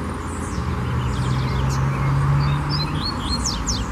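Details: Wild lined seedeater in song: a short buzzy pulsed figure, then lively high chirps and down-slurred whistles in quick succession over a loud low droning hum.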